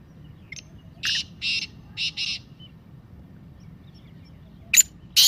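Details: Black francolin in its 'masti' calling voice, giving harsh scratchy notes: a faint short one, two longer rasping bursts, then a close pair. Two more loud notes break in near the end after a quiet gap.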